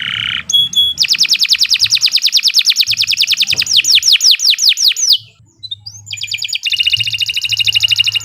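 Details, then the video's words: Canary training song: a short buzz, then a long fast trill of high notes turning into sweeping down-slurred whistles, a quiet gap with low hum, and a rich rapid trill to finish. "Kicau Burung Kenari 139 II LUAR BIASA GACOR PANJANG Cocok untuk Masteran"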